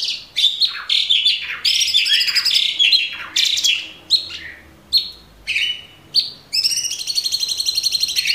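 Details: Caged Orange-bellied Leafbird (cucak cungkok) singing a long training song for other cage birds: varied bright whistles and rapid chattering phrases with short pauses, ending in a fast repeated trill.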